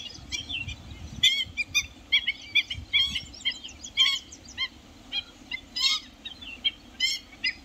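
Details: Black-winged stilt in Jharkhand, India: a busy run of short, sharp, yelping notes, several overlapping in quick bursts, as if more than one bird calls at once, with brief pauses between flurries.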